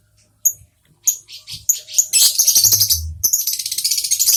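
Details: Lovebird calling: a few separate sharp high chirps about half a second apart, then a fast, dense run of shrill twittering notes.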